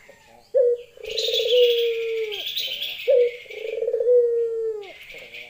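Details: A female Barbary dove calls a male with two lenjeh-style coos about 2.5 seconds apart. Each is a sharp note then a rolling, vibrating coo. A steady hissing chatter rides high above much of it.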